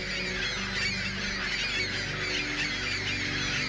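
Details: Migrating flock of ring-billed gulls giving a continuous chorus of overlapping squealing and mewing calls, busy and unbroken throughout, with a low steady hum beneath.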